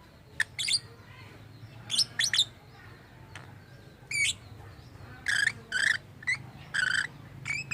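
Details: Lovebird with an odd-sounding voice, claimed to imitate human speech, producing soft clicks and short squeaky notes that rise and twist, coming in irregular bursts over low background noise.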